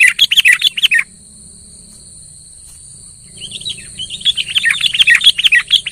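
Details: Sooty-headed bulbul singing vigorously to provoke a quiet bird: a burst of fast, rich chirps, a silent gap, then a long rising run of rapid, slightly buzzy notes with soft low background rumble and a constant high hum.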